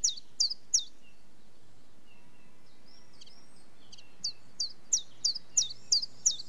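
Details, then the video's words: Common chiffchaff song: short bright notes in a quick run, a pause of several seconds, then a longer even series of sharp chiff-chaff notes, about three per second, over a soft steady background hiss. "Chiffchaff Bird Call - Bird Song"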